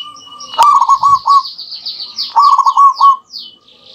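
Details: Local zebra doves in a lively back-and-forth duet, played to lure other doves: two rapid rolling, stuttered coo phrases about two seconds apart, with busy high twittering from other small birds throughout.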